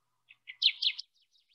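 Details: Male Kirtland's warbler, which sings from the top of a jack pine, gives a liquid song: two soft opening notes, then a loud, bubbling burst of rich phrases, ending in a few faint trailing notes.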